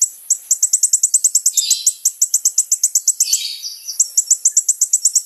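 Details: Kolibri ninja sunbird in lively song, used as a lure: a continuous string of rapid, high, ticking notes, about five per second, broken by short lower warbled phrases.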